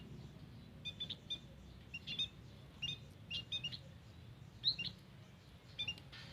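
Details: White-headed munia calling in a garden, recorded for use as a lure: thin, high, short chirps in loose clusters of two or three, irregularly spaced, over a steady low rumble of background noise.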